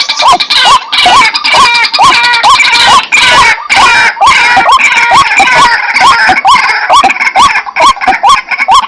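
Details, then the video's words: Harsh, loud rhythmic calls of White-breasted waterhen used as a lure, rising nasal notes about twice a second over a thick, noisy layer of overlapping croaks. "Suara Pikat Ruak Ruak , pemanggil ruak ruak"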